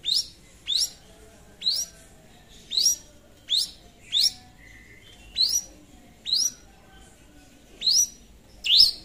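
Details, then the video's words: Long-tailed shrike singing gacor to call a rival: loud, sharp rising-then-falling chirps repeated about once a second, each a bright whistled sweep, over a quiet background hum. "PANCINGAN SUARA CENDET GACOR MEMANGGIL LAWAN"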